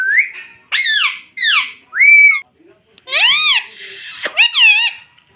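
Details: A pet parrot chattering indoors, a bird said to say 'mitthu mitthu' and 'mummy'. It gives a rapid string of loud, arching, voice-like syllables and a clear whistled note, with a sharp downward squeak near the end.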